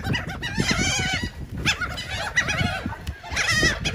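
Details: Seagulls squabbling over cake in Atlantic City, New Jersey, near the casinos: overlapping harsh, nasal squawks and mewing calls from several birds, with low thumping and background noise.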